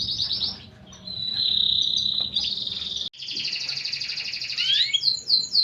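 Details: Energetic canary song in a distinctive cengkok style. Long, continuous high trilled rolls break off briefly after three seconds, then resume as a fast rattling trill that ends in sweeping upslurred notes.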